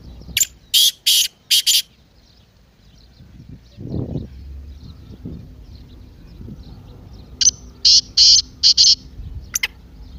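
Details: Partridge call used to prompt a silent partridge: two bursts of harsh, high notes in groups of three and four, with low rustling and knocking sounds in between.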